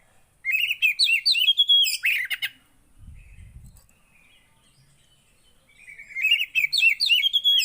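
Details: Lively Javan white-eye song played to coax a quiet bird into singing: a fast burst of high twittering and trilled notes, a pause with a low thump, then a second bright warbling phrase.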